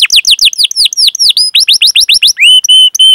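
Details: Canary song used as a lure for young and non-singing canaries: a quick series of repeated high downslurred chirps, followed by several drawn-out flat whistled notes, loud and clear with no other sounds.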